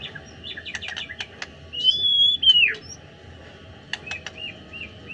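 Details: White-rumped shama singing in the afternoon: scattered sharp chirps and clicks, then a long, clear, sustained whistle falling at its end, followed by short slurred notes; some faint background noise.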